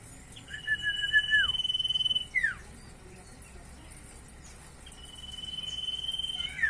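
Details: Common iora, locally called sirtu or cipoh, singing vigorously: two phrases, each a long, steady, thin whistle held about a second and a half, ending in a quick downward-slurred note, with a lower falling whistle in the first phrase.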